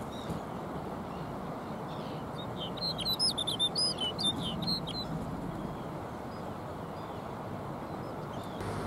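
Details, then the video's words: At Jökulsárlón Glacier Lagoon in Iceland, a snow bunting delivers one lively song phrase: a fast run of high, sweet, warbling whistles, some slurred downward, lasting under three seconds, with soft rushing background noise throughout. "Snow Bunting Singing"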